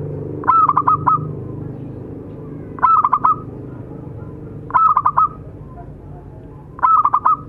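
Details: Singing local zebra doves, a male and a female kept as tutor birds: a short phrase of four or five clipped, bubbling coos repeats about every two seconds over a steady low hum.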